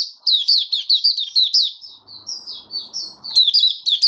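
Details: Mata puteh, the white-eye, singing as it steadies its form: a lively run of high, sweet chirps, a slightly softer warbled stretch, then another burst of quick notes.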